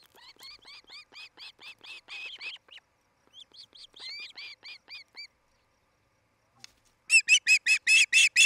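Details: Osprey at the nest in Charlo, Montana, on a nest camera, early evening of 8 July 2018: a steady run of high, harmonic whistled chirps about twice a second, a short pause, then a louder, rapid burst of sharp piercing chirps.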